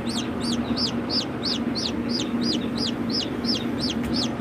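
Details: Ayam Cemani chicken: insistent high-pitched peeping, roughly three sharp downward-slurred notes per second, repeated without pause over a steady low hum.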